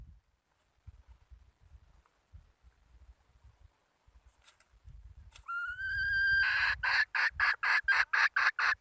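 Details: After quiet low rustling, a hen gives a rising tonal note, then breaks into a fast series of harsh, pulsed notes at about three per second.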